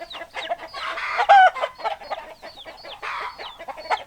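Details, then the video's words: Chickens, hens and roosters, in a flock: dense overlapping clucks and short squawks, with many thin rising and falling high chirps, one loud harsh squawk near the middle. "Chicken Sounds Noises Hens Clucking Roosters Crowing"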